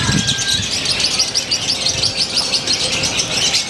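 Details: Lovebird from Purwakarta, Indonesia, known for tight pauses and a quirky new style; brisk high-pitched chirps repeat in a continuous rattling chatter, with faint low background noise.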